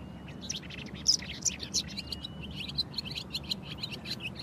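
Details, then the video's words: Barn swallow song as a lively stream of high twitters and short chirps, some sharper squeaky notes, over a faint low rumble. "Barn swallow song"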